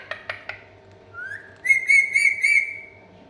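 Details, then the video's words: Three sharp clicks open, then the pet Indian ringneck parakeet, known as a talking parrot, whistles a rising slide into a long level tone with rapid pulsing wavers, about four per second, fading away. "Unbelievable Talking Parrot | Parrot Sound | Mithu tota"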